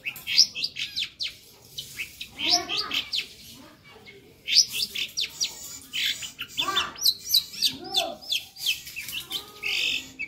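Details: Long-tailed shrike singing lively varied fill phrases: rapid bursts of high chirps and ticks, broken by buzzy descending harmonic slurs, in two main bouts separated by a short pause.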